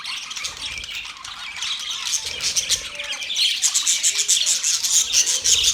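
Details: Budgerigars chirping, recorded October 11, 2023; softer mixed twitters build into louder, quick repeated chirps, roughly three per second, in the second half, many birds calling at once.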